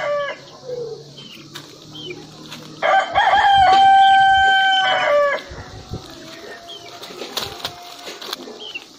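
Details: One loud rooster crow lasting about two seconds, held and slightly wavering before a falling finish, surrounded by quieter hen clucks and clicking farmyard sounds.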